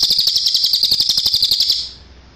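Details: Cililin singing on a training recording for cage birds, a fast, even, high-pitched rattling trill of rapid pulses lasting nearly two seconds before fading.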